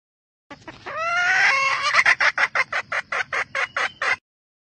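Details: A red junglefowl hen, whose calls are said to stimulate cocks, gives a drawn-out squawk, then a fast run of about a dozen sharp clucks, several each second.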